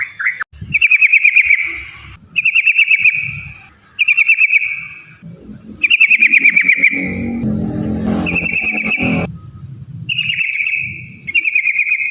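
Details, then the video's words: Yellow-vented bulbul in a long rolling song used to stir other bulbuls to sing: bubbly, liquid whistled phrases about a second long, repeated roughly every one to two seconds, with some low rumbling noise in the gaps. "trucukan gacor TARUNG ROPEL PANJANG pancingan trucukan agar bunyi"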